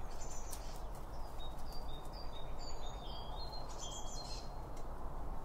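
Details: Birds eating around a feeder, recorded binaurally with two microphones beside the feed: short high chirps and thin whistled notes, irregular and overlapping, over a steady low rumbling background noise.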